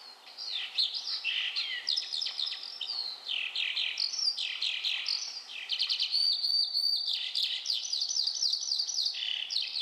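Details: Eurasian skylark, introduced to New Zealand, gives its sky song while hovering high over pasture on the Otago Peninsula in spring: a high unbroken stream of rapid chirps, trills and buzzy whistles tumbling up and down.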